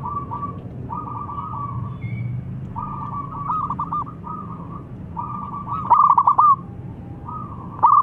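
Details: Local zebra dove singing as a lure to get mute doves singing: soft, repeated purring coo phrases that build to one loud, fast, trilled burst near six seconds, then another sharp start at the end.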